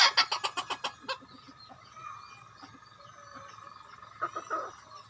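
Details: Trapping decoy rooster gives a quick burst of about seven sharp, loud clucking notes in a little over a second, followed by softer scattered clucks and faint background calls.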